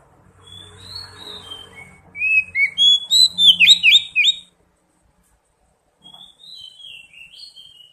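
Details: Oriental magpie-robin song played to prompt singing: a low hum under soft notes, then a loud burst of fast whistled and warbled phrases, a pause, and quieter sliding whistles resuming.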